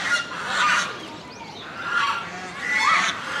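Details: Swan goose calling at Inokashira Park Zoo, Japan, in October 2018: three loud, harsh honks about a second apart, each a broad nasal blare with a slight rising catch at the end.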